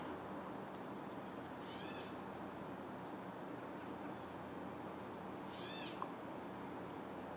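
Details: Gray Catbird on the Cornell University campus, Ithaca, New York, 15 June 2024: two nasal, cat-like mews, each slurring downward, about four seconds apart over a steady hiss of background noise.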